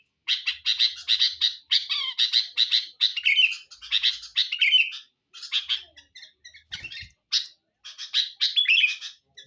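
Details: Chattery Sooty-headed bulbul in a lure recording: rows of harsh, rapid chirps in bursts with short gaps, mixed with a few slurred whistled phrases; a soft low thump partway through.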